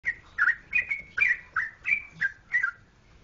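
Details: Sooty-headed bulbul from Jogjakarta: about eight short, bright whistled phrases in just over three seconds, each a quick slurred rise and fall. The notes come in an uneven, bubbly rhythm. The background is quiet.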